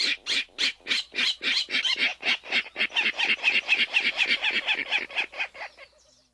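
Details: Virginia rail (Rallus limicola) grunt call, a rapid run of about two dozen harsh, squeaky, pig-like grunts, roughly four a second, fading slightly at the end; often given by pairs, and easier to hear at a distance than the ticket call.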